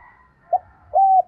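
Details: Spotted dove, played to train decoy birds: a faint hum at the start, then a brief low coo note and a sustained even coo that dips slightly at its end.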